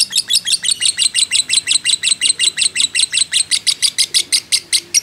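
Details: Fighter lovebird in a long 'ngekek' chatter, used as a stimulus recording to provoke other lovebirds: a steady run of sharp, high chips at about three per second, each note bright and metallic, with no pause throughout.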